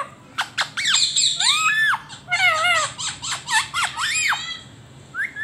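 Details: Talking rose-ringed parakeet reacting to footage of itself, giving a few sharp clicks, then loud arching squawks and bent whistled notes in quick bursts, fading to quiet near the end.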